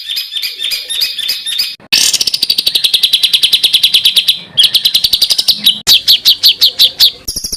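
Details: Varied bird song for tutoring caged songbirds: chattering mixed notes, then a long fast run of sharp high chips, followed by cut-in bursts of louder, spaced trilled notes.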